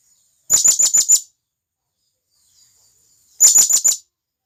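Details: Calling to companions, a wild blue-crowned hanging parrot gives two fast strings of five shrill, high squeaks about three seconds apart, in a quiet forest setting.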